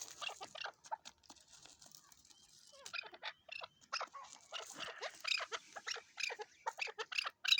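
Chukar partridge giving a rapid run of harsh, clucking notes that thicken into a dense, excited chatter in the second half.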